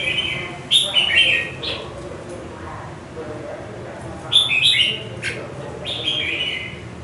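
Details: A red-whiskered bulbul, kept caged for five months after being taken from the wild, gives loud whistled warbling bursts near 1 and 4.5 seconds, then a softer phrase near 6 seconds, against a constant low murmur.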